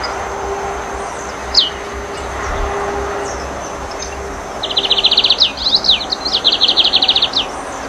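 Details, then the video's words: Lined seedeater, known locally as bengalí, corbatita or tucero: a lone thin downslurred note, then a fast dry buzzy trill of rapid repeated clicks in stuttering bursts over a steady background hum. "CANTO DE TUCERO - CORBATITA - BENGALÍ - Sporophila lineola"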